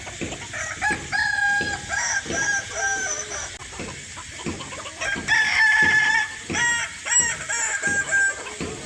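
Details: A Kukuak Balenggek cock, raised as a hobby bird, gives a long chain of ringing crow notes. The notes step up and down in pitch with brief pauses and run on across nine seconds.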